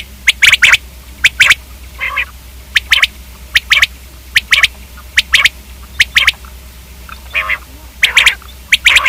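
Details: Batair (common quail) calling in evenly spaced bursts of two or three crisp clicks, with a few softer rasping notes between.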